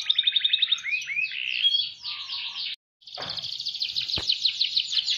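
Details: Canary singing a showy 'gacor' song with elaborate 'cengkok mewah' phrasing: fast high trills, then rising slurred whistles, a brief gap, and a long rapid rolled trill with a single sharp click.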